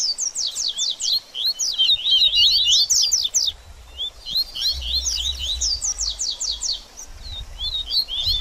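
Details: Double-collared seedeater singing 'baderninha', meant to warm up a bird after its moult. Rapid series of steep, sharp descending notes alternate with tangled twittering, broken by one short gap, over a low background rumble.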